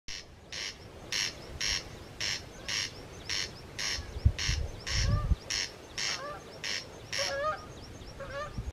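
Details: Corncrakes on Colonsay near a hostel, heard but never seen: a dry, rasping crex-crex repeated about twice a second, with softer whistled notes from other birds and a brief low rumble of wind.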